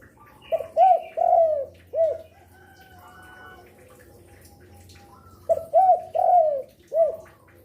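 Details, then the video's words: Spotted dove singing as a lure for other doves: two four-note cooing phrases, each a stutter, a bowed coo, a long falling coo and a short end note, separated by a quiet spell with low hum. "Derkuku gacor rajin bunyi siang sore malam cocok untuk pancingan"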